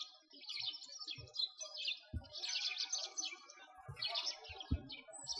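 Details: Flock of sparrows by a frozen lake in winter, Moscow, Russia, keeping up a continuous chatter of high chirps, with dull low knocks and thuds scattered through.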